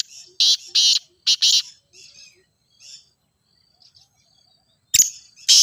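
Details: Grey francolin (teetar), used as a training call for kept birds: four loud harsh rasping bursts in two quick pairs, then soft faint notes and a long lull before two more loud grating bursts near the end.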